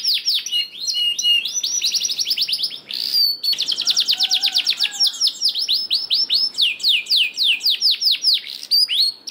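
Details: Canary song used to coax reluctant canaries into singing: bright rolling trills and fast repeated descending whistles, a brief buzzy rasp near three seconds, then steady rhythmic slurred notes continuing to the end.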